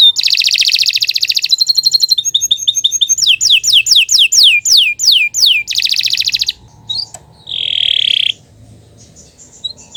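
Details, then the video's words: Canary in full, nonstop song used for tutoring young birds. It moves from dense high trills to a stretch of rapid falling whistles and back to a rolling trill. After a brief pause comes a single sustained buzzy note. "Kicau Burung Kenari II GACOR PANJANG Cocok untuk Masteran"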